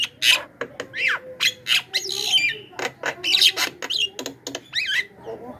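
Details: Javan myna lure call meant to bring in wild mynas: a dense, busy run of harsh squawks, rasping bursts and slurred whistles, almost continuous for nearly six seconds with barely any pauses.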